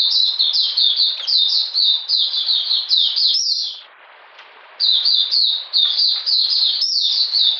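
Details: Oriental magpie-robin singing in cold rainy weather, 13 June 2020: rapid high chirps, a silent pause of about one second near the middle, then more fast sharp notes.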